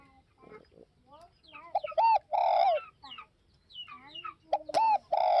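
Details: Spotted dove from northwest Vietnam cooing in two phrases, each with a short note and a long downslurred coo. Other varied chirping and slurred bird notes and a sharp click are mixed in around them.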